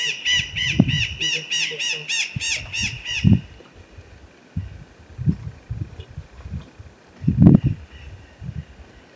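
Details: Pair of blue-winged macaws flying at the foot of a mountain in the Bahia sertão, Brazil: a rapid burst of harsh, raspy, repeated squawks for about three seconds, then low thumps and handling noise.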